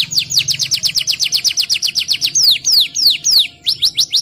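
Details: Canary in energetic 'ngerol nembak' song: a rapid rolling series of about fifteen bright downslurred notes, followed by slower, louder sweeping whistles.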